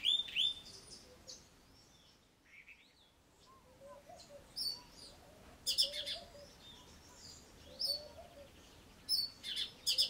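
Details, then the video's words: Cape robin-chat in a garden giving sharp, clicking, broadband high notes and short whistled bursts at irregular intervals, over a soft low warbling from another bird. "CAPE ROBIN-CHAT'S melody, mimicry and scolding"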